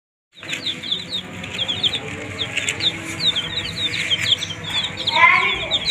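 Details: Many baby desi chicks eating green leaves, kept warm by provided heat: a dense stream of high, thin, downslurred peeps overlapping continuously, with soft rustling and a louder burst of cheeping near the end.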